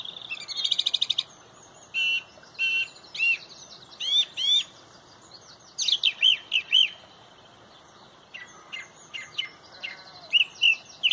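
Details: A song thrush leads the sunrise dawn chorus at Pontrobert, singing loud, varied phrases of clear whistles and sharp notes, several repeated two or three times, with short pauses between them.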